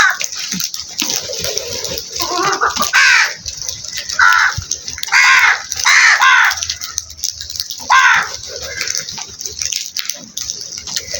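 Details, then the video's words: A flock of crows cawing: harsh, hoarse caws from several birds overlap in bursts, some single and some in quick runs of two or three, with a constant hiss of background noise throughout. "Flock of crows sound"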